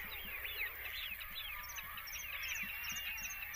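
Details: Great black-backed gulls at Rutland Water Nature Reserve on 28 August 2023 give a busy chorus of hoarse, arching, continuously overlapping cries, with thin high squeaks above and a steady background hiss.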